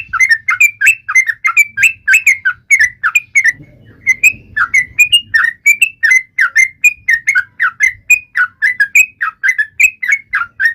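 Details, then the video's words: Yellow-vented bulbul singing to taunt rivals: a long run of loud, bubbly whistled notes, each sliding around a mid-high pitch, repeated about three to four per second, with a faint low rumble in the background. "trucukan gacor MENGEJEK LAWAN"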